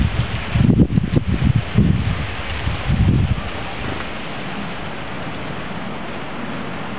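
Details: Gusty wind buffets the microphone in low rumbling bursts for about three seconds, then settles into a steady soft roar.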